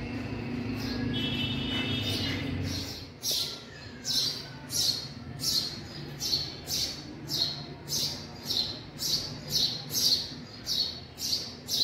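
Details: A brief high tonal sound and low rumbling come first. Then young house sparrows in a garage break into rapid, insistent high chirps, scratchy and falling, repeated nearly twice a second for several seconds.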